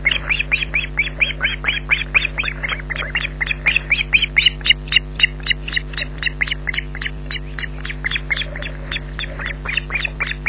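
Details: Osprey chick begging for food at Loch Garten, June 2012, emerging from beneath the brooding female who has no food: dense run of piercing, slightly descending shrieks, about two each second, over a constant electrical hum.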